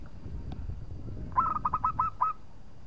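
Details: A local zebra dove sings to draw out a rival. After a second of murky low rumble comes a short trill of about six staccato, upward-flicking coos at a steady pitch.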